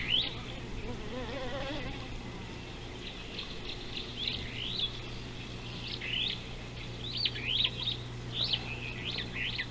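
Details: Superb starling at an African river, recorded 19 July 2018 by a live camera: faint quick chattering phrases of rising and falling high notes, repeated through the clip over a steady low hum and background noise.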